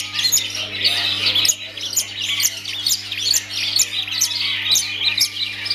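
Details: Cendet, a kept long-tailed shrike, singing a bright, high chattering song of rapid twittering bursts and sharp clicks repeated in quick succession, over a continuous low hum.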